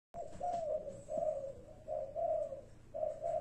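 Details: A spotted dove perched on a rubber tyre gives soft, low, hollow coos in short phrases, about four in three seconds, with faint background hiss.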